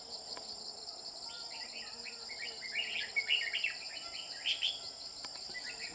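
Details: Red-whiskered bulbul at a trapping site where a bell-voiced male is being hunted. A run of short bubbly, chirping notes builds over several seconds, the loudest in the middle, over a steady high insect drone.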